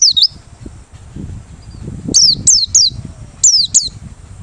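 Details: Merapi white-eye in open-beak song, suited as a lure: high, falling whistled notes, one early then a spaced series of five, over steady low background rumble.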